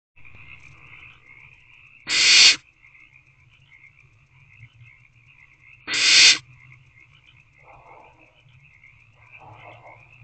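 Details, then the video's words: Owlets in a nest box on the evening of 2 March 2024, 7:38 pm, waiting for food: two loud, harsh hissing screeches about four seconds apart, each lasting half a second, over a constant high-pitched background chorus. "Owlets Still Waiting For Food"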